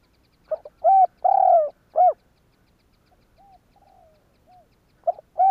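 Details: Spotted dove cooing meant to stimulate other doves into cooing. One full phrase of three hollow coos with a long middle note, then a few very soft distant coos, then the next phrase starting.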